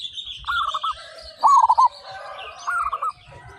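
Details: Local zebra dove singing loudly: three rolling, trilled cooing phrases, each about half a second long, separated by short pauses, with faint high chirping from other birds in the background.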